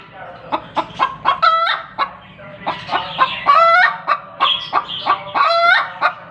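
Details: Hen calling after laying an egg: a loud cackling run of short clucks, several quick notes then a drawn-out rising squawk, repeated in bouts about every two seconds.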